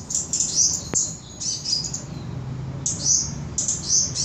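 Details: Samarinda, Indonesia: cabai gunung flowerpecker utters clusters of very high, sibilant chips and twitters separated by short pauses, with one sharp click near the start.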